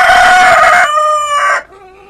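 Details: One of two roosters, a red one and a speckled one, gives a loud, harsh crow that holds steady, then drops in pitch and fades after about one and a half seconds.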